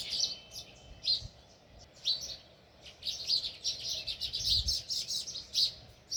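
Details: A sparrow near its nest in a village repeats short high chirps, sparse at first, then a denser run of quick tweets in the middle, with a faint low rumble behind.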